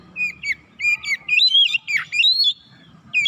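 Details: Oriental magpie-robin lure song meant to provoke other birds into quickly becoming agitated and singing their full repertoire; bright varied whistled phrases with sharp chirps and a downward-sweeping note, delivered in quick bursts with brief pauses.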